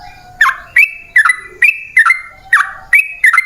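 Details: Sooty-headed bulbul song as a lure to draw wild birds into answering: clear, bubbling two-part phrases, each a high note slurring down, repeated about every half second over a faint low hum.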